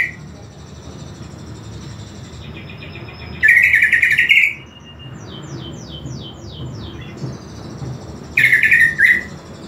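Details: Greater green leafbird singing while exposed to master audio: two loud chattering, buzzy bursts about five seconds apart, separated by a series of quick high downslurred whistles and faint tones.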